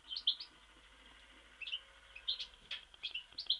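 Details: European goldfinch from Mostar giving high, tinkling chirps and short twittered phrases in scattered bursts over a low background hiss.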